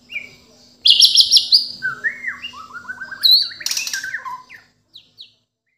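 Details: A Bornean white-rumped shama from Indonesia, known locally as murai batu, pours out a loud, fast song. Shrill high trills lead into stepped, descending whistled slurs, harsh buzzy notes and two soft closing chips.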